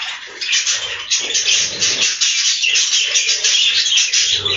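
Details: Dense, unbroken chattering from many budgerigars inside a budgie farm's breeding room, a busy mix of harsh warbles and high chirps throughout.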